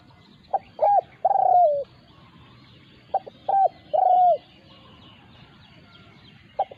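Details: Spotted dove used as a decoy, in a confrontation with a wild territorial resident dove in Thailand; loud cooing phrases of two or three short clipped notes ending in a long, drawn-out, slightly falling coo, repeated twice.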